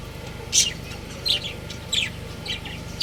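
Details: Budgies kept as a breeding pair give quick high chirps, roughly four in three seconds, each a brief bright burst above a constant low background hum.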